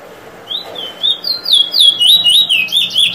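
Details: Bullfinch Drawl and Weet Drawl from 2022: a continuous series of bright wavering whistles, each note bending down and up again, about four per second, loud and clear against faint low hum.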